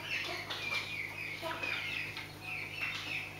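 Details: Scaled quail calls: repeated short slurred whistles that dip and rise, about two per second, against a steady low hum.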